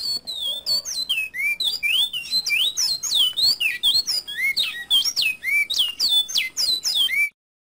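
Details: Coleiro (double-collared seedeater) singing the bicudo clássico song style used to tutor birds: a rapid, continuous run of bright slurred whistles, many sweeping down then up, packed densely with no pauses until an abrupt stop.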